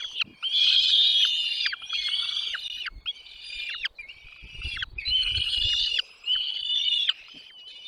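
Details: Chicks in a nest beg while the mother and father deliver food. The high, quavering cries come in loud drawn-out bursts of about a second, broken by brief gaps and quick falling chips, with soft rustling underneath.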